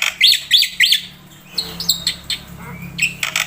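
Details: Black-winged myna in energetic full song packed with mimicked phrases, used to tutor and stir other birds; three bright rising chirps open, then scattered harsh, varied notes.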